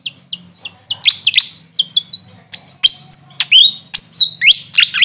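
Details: Grey fantail, locally called Maria Capra, giving sharp high chirps and brief whistled notes that dip and rise, spaced about every third of a second, with a soft low hum underneath.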